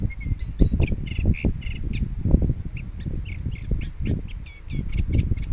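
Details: Fieldfare giving harsh chattering calls: rapid strings of dry, grating chack notes in several bursts, with brief pauses between runs, over heavy low rumbling wind or handling noise.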